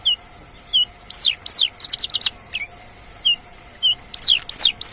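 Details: Wild Javan bush lark singing outdoors: sharp rising-then-falling whistled notes, often doubled, mixed with short bursts of rapid chattering chirps and isolated brief tweets, over a faint steady electrical hum.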